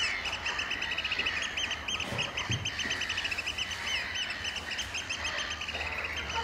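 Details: Oystercatchers in April at Amwell Nature Reserve giving a piping display: a long, rapid, rhythmic stream of high shrill pipes, with a brief low thump partway through.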